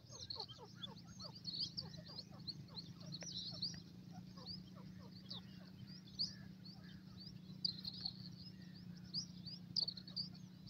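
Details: Black francolin chicks playing and fighting on grass: dense, rapid, overlapping chirps and short squeaks, some high and sharp, others lower and clipped, continuing throughout over a steady low hum.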